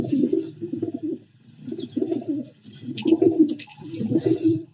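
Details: Pigeons coo, a sound they make when about to eat grain or when content: low, soft, throaty rolling phrases in four bursts about a second apart, with faint higher chirps from other birds.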